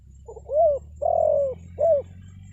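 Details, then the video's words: Spotted dove lure call to make forest birds respond: soft stuttered opening notes lead into three mellow coos, the middle one long and level, the last short, with a low hum behind. "SUARA PANGGILAN TEKUKUR PIKAT, BURUNG HUTAN PASTI NYAHUT"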